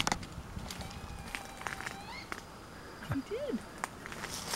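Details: A resident barred owl on Salt Spring Island calls daily from a tree in the forest across the street, where a nest is suspected. It gives a single short rising-then-falling hooting wail near the end, while people talk quietly and footsteps crunch.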